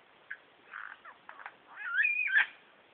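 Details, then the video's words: Superb lyrebird male concealed in bushes, copying sounds like a laser gun, kookaburra, whipbird, whistlers and magpies. Soft chips and short warbles build into a loud, twisting, tumbling warbled phrase near the end. "Superb Lyrebird call"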